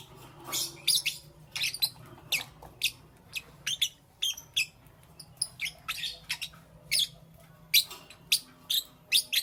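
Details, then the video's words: Lovebirds chirping in the morning: sharp, high, squeaky chirps come singly and in small clusters at an uneven pace, over a faint low background hum. "Lovebirds Chirping Sounds"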